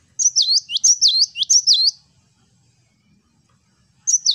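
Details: Cinereous tit singing a vigorous 'wucit wucit' song: three quick high whistled phrases, each a sharp note sliding down into a buzzy dip, repeated about every 0.6 seconds, then silence before one more phrase starts.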